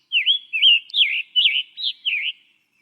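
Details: A Scarlet Tanager, a Vermont healthy-forest priority bird, sings six quick, hoarse, burry phrases, rising and falling like a raspy robin, all in about two and a half seconds. No other sounds.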